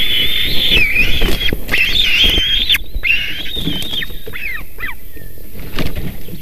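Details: White-tailed eagle at a nest on a live stream in Latvia, 3 July 2020, as a fish is brought in: a high, thin, wavering squeal for about four seconds, then short sharp yelps over wind and knocking.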